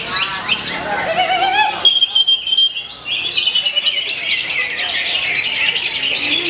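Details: A greater green leafbird competing at a bird-song contest in Klaten pours out a rapid, high, varied stream of chirps, trills and whistles, including one long clear whistle, amid other chattering birds and clapping.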